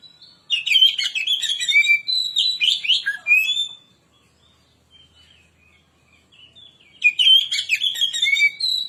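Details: Oriental magpie-robin lure song to agitate other birds: a long, fast stream of loud whistles and chattering notes, a quiet pause of about three seconds, then the energetic phrase starts again.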